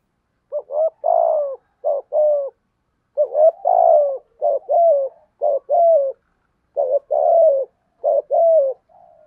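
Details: Spotted dove giving a 'thúc gù' coo in the 'giọng thổ' voice: low, mellow coos in paired and triple bursts, each ending in a falling note, repeated about every second with short gaps. No other sounds.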